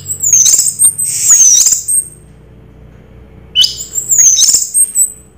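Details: Orange-headed thrush in 'raja teler' song style, giving two bursts of high, thin, warbling whistles with scratchy edges, separated by a quiet gap of about a second and a half.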